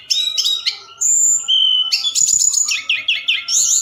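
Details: Forktail at night, a lure to get other birds answering: short high notes, a long thin steady whistle, then a lower one, ending in fast repeated looping chirps.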